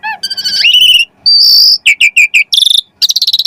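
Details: Asian pied starling in full song, meant to prompt other birds to sing: a sliding whistle, a long buzzy high note, then quick repeated chips and a rasping, trilled phrase.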